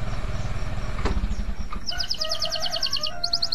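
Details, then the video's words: Male canary in breeding condition, its song offered to bring other male canaries into breeding mood and restart silent singers. A rapid, high, evenly pulsed trill begins partway through, with steadier tones below it, over a loud low rumble like traffic. "SUARA KENARI JANTAN BIRAHI"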